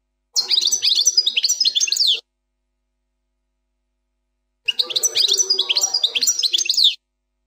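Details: Caged European goldfinch of the Plak Mine song style, an error-free song passage: two bursts of rapid high twittering with buzzy trills and sharp rising and falling notes, separated by about two seconds of silence.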